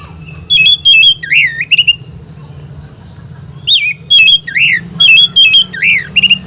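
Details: Oriental magpie-robin singing, a song used to provoke other magpie-robins into agitated display; two bursts of loud, clear whistled phrases with swooping, rising and falling notes and quick chattering pieces, split by a short pause, over a steady low hum.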